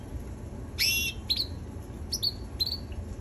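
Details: Young red canary giving a harsh, broad chirp followed by several short, clear, high whistled notes that dip and level off, spaced about half a second apart over a faint background hiss.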